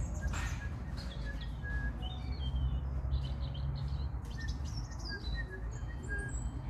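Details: A European robin at a garden centre sings thin, high, wavering phrases of varied whistles and trills, rather faint over a steady low rumble of background noise.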